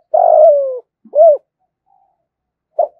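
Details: Cooing spotted dove used as a lure to draw wild doves in to fight: a long, slightly falling coo, a short arched coo, a pause, then one brief final note.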